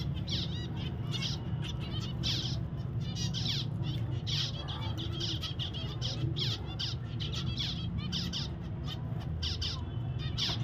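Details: Pet zebra finch calling steadily: a long series of clear, short nasal honking beeps, several per second at times, against a continuous low hum.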